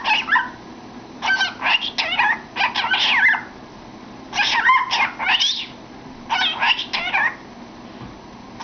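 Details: Pet cockatiel with its head inside a cardboard tube, entertaining itself; harsh, scratchy chattering in bursts of clustered notes, with pauses of about a second between groups.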